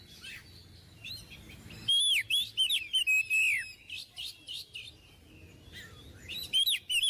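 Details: Oriental magpie-robin, a caged songbird kept as a master tutor for young birds, singing loud varied whistled phrases with sharp chirps and rapid trills in bursts, quiet pauses between outbursts.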